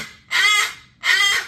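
A cockatoo gives two harsh, raspy squawks, each about a third of a second long and under a second apart, in a rough imitation of a chicken's cluck.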